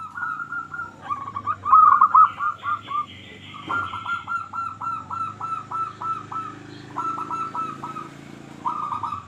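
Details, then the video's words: Local zebra dove singing, used to make lazy or quiet doves call: repeated phrases of short, evenly spaced cooing notes in quick runs, with a faint higher chirp and a low background hum. "Perkutut Lokal Gacor Suara Paling Ampuh Untuk Pancingan Burung Perkutut Agar Bunyi"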